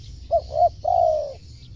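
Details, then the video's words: Spotted dove call played to lure wild birds: two short rounded coos followed by one longer, drawn-out coo that slides slightly downward, mid-pitched and mellow, over a steady low hum. "suara tekukur cocok memanggil burung luar"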